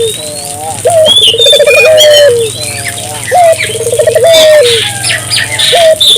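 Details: Ring-necked dove calling to draw local doves into calling. Repeated phrases of a short rising note and a rapid throbbing trill that settles into a held coo, over a low steady hum and bright chirps from other birds.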